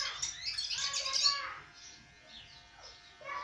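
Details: A burst of crowded sparrow tweets fills the first second and a half, then fades to a few faint, scattered chirps before one last brief flurry.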